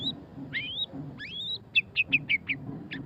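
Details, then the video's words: Murai batu pastol, the white-rumped shama, delivers ngeriwik song: two long rising whistled slurs, then a quick series of short bright notes about five to six per second, with low background hum. "suara kicauan burung murai batu pastol ngeriwik - white-rumped shama"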